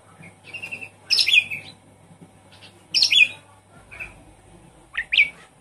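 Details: Javan pied starling, a caged bird kept at home, used as a lure to make a silent bird sing; short loud bursts of harsh, noisy notes about two seconds apart, with soft chatter between and a low steady hum.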